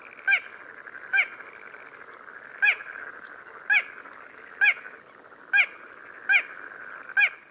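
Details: Little crake from Córdoba calling a series of eight short, abrupt nasal yelps, spaced roughly one second apart with slightly uneven timing, against a constant humming background.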